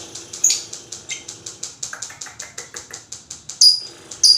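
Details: Lovebird in a long chattering ('ngekek panjang') bout, used to prompt other lovebirds: a rapid, steady train of dry clicking pulses with a few sharp, high squeaky notes breaking through near the start and end.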